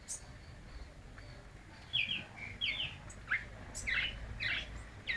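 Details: White-necked thrush singing a little at midday, short burry whistled notes spaced irregularly, some doubled, with low rumbling background noise.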